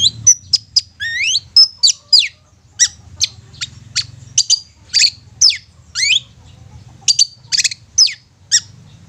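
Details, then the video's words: Long-tailed shrike lure song to make quiet shrikes sing and become agitated: a lively run of upward-sweeping whistles, scratchy high notes and short squeaks delivered in irregular bursts. "Cendet Bisu Miyik Mbagong bakalan GACOR dan EMOSI dengan Pancingan Cendet Ini"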